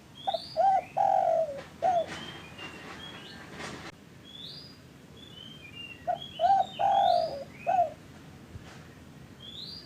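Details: Lure recording of a Spotted dove for slow or silent caged doves: two mellow phrases about five seconds apart, each of short hoots around a longer falling coo, with brief rustling and high chirps of other small birds in between.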